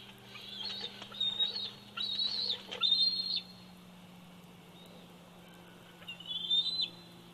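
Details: Eaglet bald eagle, 104 days old, calling at the Big Bear Valley nest, July 27, 2019. A series of piercing, wavering high whistles in three bursts, a pause, then one more squealing whistle, with a faint low hum behind.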